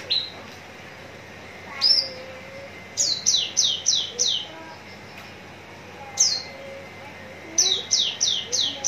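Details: Javan bush lark from Cikupa, Tangerang, ready for song contests, giving clusters of four or five sharp, high, downward-slurred whistles separated by pauses, with a faint lower whistle between groups.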